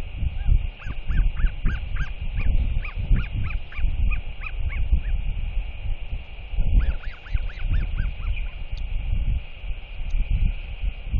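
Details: A 121-day-old Royal Albatross chick begs a neighbouring adult resting at its nest, hoping for a feeding; a long run of short arched whistled notes, about a dozen in quick succession, then a second burst, over heavy wind rumble.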